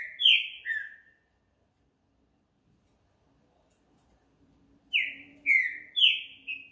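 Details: At night, a green-winged saltator gives two rich downward-sliding whistles, falls silent for several seconds under a faint low hum, then resumes with three to four loud, clear whistled notes in quick succession.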